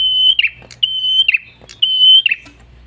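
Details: Red-headed tailorbird (prenjak kepala merah) singing in a lively lure recording for attracting birds: a long, steady, high whistle drops into a quick buzzy chatter, repeated three times in a fast rhythm.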